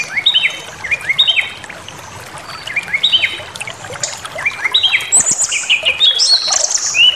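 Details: Provocative white-rumped shama song: paired rising whistles repeated in groups, then a faster cluster of high chips and buzzy slurs ending in a sharp upward note.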